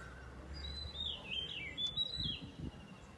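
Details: An Oriental magpie-robin singing in the morning at dawn, a run of clear, varied whistles, sliding up and down at high pitch, over a low background rumble.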